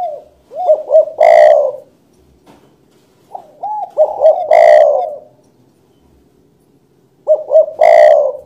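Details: Spotted dove repeating the same phrase about every three seconds: quick soft stuttering coos leading into one long, loud buzzy croo.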